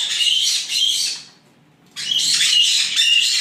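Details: Nine white-bellied caique chicks in an aviary near Dallas, Texas, give harsh, high, rasping squawks in dense bursts, about four per second, broken by a brief pause; the owner says they do this every night.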